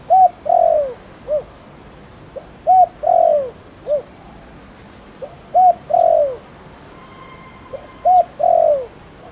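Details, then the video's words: Thổ Đồng style cooing of a spotted dove, meant to rouse other doves to call. Four repeated phrases, each a clipped opening note, a drawn-out downward-sliding coo and a short final hoot, spaced roughly two and a half seconds apart. "Tiếng cu gáy Thổ Đồng gọi bổi nhanh gáy"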